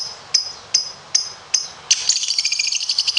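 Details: Competition lovebird: four sharp high chips at even spacing, then a fast, rattling high trill of rapid pulses to the end.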